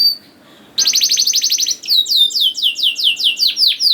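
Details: Canary song used as a lure to start young canaries singing: after a brief pause, a rapid sharp trill gives way to a run of looping, descending whistled chirps.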